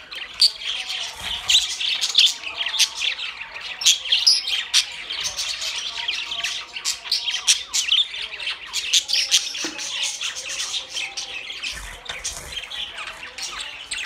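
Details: A crowd of budgerigars keeps up lively, continuous high twittering and scratchy squawks, with sharp clicks and chirps scattered over the dense babble.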